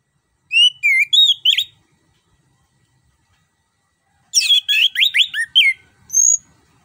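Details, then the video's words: Orange-headed thrush, song used as a lure for a bird reluctant to sing: a short phrase of high chirps and whistles, a silence of nearly three seconds, then a longer rapid burst. "PANCINGAN JITU ANIS KEMBANG GACOR NGEROL NGEPLONG"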